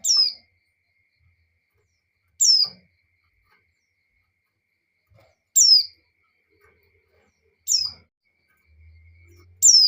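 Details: Breeding-condition female white-eye calling for a male. Five brief, piercing chirps that slide steeply down from very high, at irregular gaps of two to three seconds, over near silence with a soft low drone at the end.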